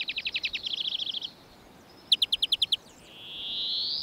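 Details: A European Greenfinch, common in residential areas, sings two fast, canary-like trills at different pitches, then a drawn-out, rising nasal wheeze, its signature call.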